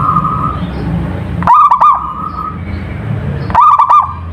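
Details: A local zebra dove sings a bubbly, rolling coo phrase twice, about two seconds apart, each ending in a steady, slightly wavering tone, with a low rumble underneath.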